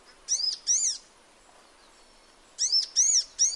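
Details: In its natural habitat a sunbird gives loud, high, downward-arched chirps, two close together, a quiet gap, then a quick run of three.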